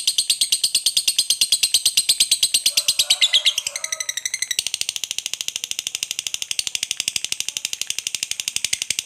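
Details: Long 'ngekek panjang' from a fighter lovebird, aimed at provoking rival birds: a continuous, very fast stream of shrill buzzy pulses for nine seconds, briefly louder and rougher near the start, with a faint tonal sound around three seconds.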